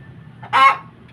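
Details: Hen calling after laying an egg: a single loud, harsh squawking note lasting about a quarter second, over low background hum.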